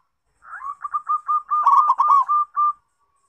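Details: Zebra dove (perkutut) cooing, used as a lure for doves that rarely sing: a rapid string of short mid-pitched staccato coos, with a louder, rougher burst of notes in the middle before the even series resumes and fades.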